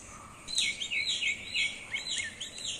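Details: Domestic chicken chicks peeping: a quick series of high, thin, downward-sliding chirps from several birds overlapping one another, with a faint steady hiss behind.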